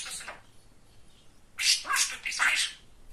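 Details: Chatty pet male budgerigar that talks, giving a faint brief note followed by three loud, high, raspy speech-like bursts packed close together near the end.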